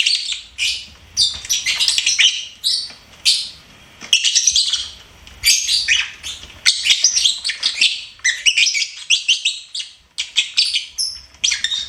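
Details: Pet lovebird singing and chirping in long, rapid chattering runs of high, scratchy, twittering notes and squeaks, each burst one to two seconds long, separated by brief pauses.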